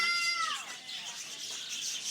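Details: A friendly budgerigar in a walk-in aviary at the Reston Zoo, where budgies land on visitors, gives a steady, harmonic note that slides downward, over a bed of hissy, chattering flock noise.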